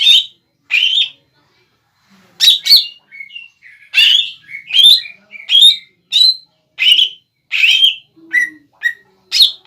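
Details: Cucak ijo, Greater green leafbird, a kept bahan bird, in gacor song to provoke a rival into replying: after a short pause, a lively string of whistled slurs and chatters, roughly one phrase per second.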